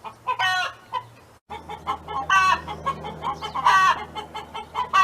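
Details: Domestic hen singing near a neighbour's farm: rapid soft clucks in a steady stream, broken by loud, harsh, drawn-out squawks every second or so, with a low steady hum underneath.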